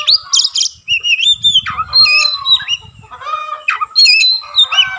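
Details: White-rumped shama opening its tail while singing, delivering loud sharp burst notes, looping whistled slurs and rattling phrases in quick succession, accompanied by faint low rumbling.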